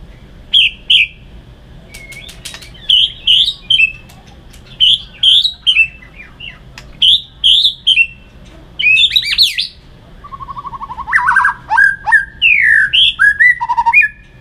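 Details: White-rumped shama fighting song for training: bright high chirped phrases repeated in groups with pauses, later a quick series of lower rolled notes and varied sharp upswept whistles.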